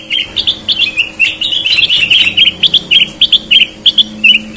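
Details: Close, loud Sooty-headed bulbul song from a red-eyed or white-eyed bird: a continuous string of sharp chirping whistles repeated at a steady quick pace, over a faint hum.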